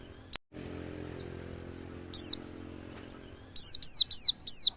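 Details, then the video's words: White-eye, wild forest-style tutor recording: after a low hum, one sharp high note falls steeply, then a quick run of five similar descending notes closes the passage. "Masteran burung pleci gacor ngalas"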